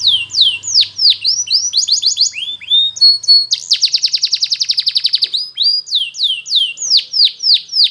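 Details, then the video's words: A Belgian canary sings for training: looping downslurred whistles, short buzzy phrases, a dense rapid trill in the middle, then more sweeping falling notes, bright and loud throughout. "Belgian Canary Singing For Training"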